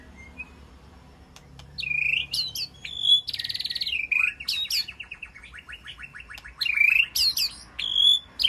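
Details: White-rumped shama in a peaceful aviary, calling to its flock: a rich, varied run of whistled notes, buzzy rattles and rapid trills, with sharp high upslurs and a fast stuttering series of repeated notes, ending in bright whistles.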